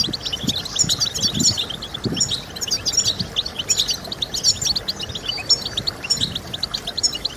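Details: European goldfinch in full song for stimulating singing: loud, rich, rapid twittering with buzzy and liquid notes in dense bursts, a few dull low knocks underneath.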